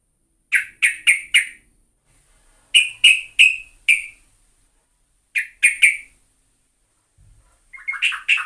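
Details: Sooty-headed bulbul (trucuk) lure recording: short sharp chirps in bursts of three or four, spaced roughly two seconds apart, ending with a brief jumbled twitter; no other sounds.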